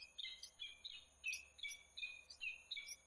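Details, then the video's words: Peregrine falcon in Włocławek, Poland, recorded 15 January 2013, calling in a fast, continuous stream of scratchy, wailing notes, about two to three a second. Steady high whines sound faintly in the background. "Slechtvalken Polen Włocławek. Sokól wedrowny Polska Włocławek."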